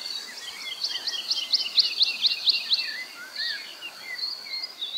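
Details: Woodlark song in the Czech Republic, where males sing in mid air or on the ground: a fast series of clear, high, repeated liquid notes that speed up, followed by softer falling and rising whistled phrases, with light background noise.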